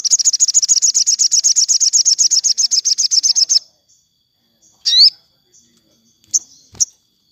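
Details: Afternoon song of a sogon, used for captive birds in low condition: a rapid, high, buzzy trill runs steadily for three and a half seconds, followed by a quiet pause and three single sharp upslurred notes.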